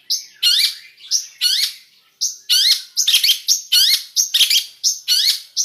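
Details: Full mixed song of a cendet (long-tailed shrike). Loud rising and falling whistled phrases with twangy bends repeat in quick series, mixed with short high piping notes.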